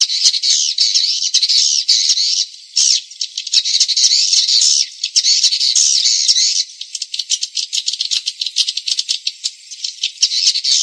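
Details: Swiftlet farming lure sound for attracting birds: a dense, continuous high rattling twitter that becomes a run of fast, separate clicking chirps in the last few seconds.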